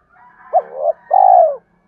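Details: Spotted dove call meant to provoke other doves into cooing: a short rising hooked note, a wavering middle section, then a longer, steady, slightly falling coo, all low and mellow in a quiet setting.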